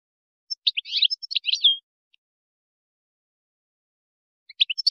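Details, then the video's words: European goldfinch, Moroccan song style used for tutoring goldfinch chicks and hybrids; a burst of bright twittering, buzzy notes over about a second, then silence before a new twittering phrase begins; clean recording, no other sounds. "ويداني_مغربي _لتلقين فراخ الحسون والهجين"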